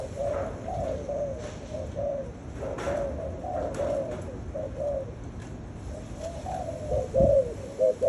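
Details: Spotted doves giving steady, overlapping, soft hollow coos, with a louder clearer arched coo near the end and occasional faint clicks.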